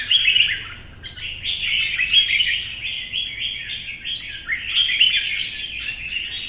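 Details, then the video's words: Wild-caught mature red-whiskered bulbul, kept caged, in competitive morning song under sunshine: a near-continuous stream of lively warbled, whistled notes, rising and falling, with louder bursts at the start and near the end. "CHÀO MÀO | Bổi già rừng 4th lồng bóng bộ và nết cầu - nắng sáng hót đấu"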